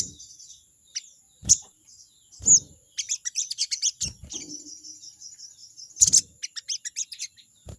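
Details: Crested jay in 'crecet' chattering mode, challenging a rival: isolated sharp notes, then a fast rattling burst of high chips from three to five seconds and another at six seconds, amid loud knocks and a constant high whine.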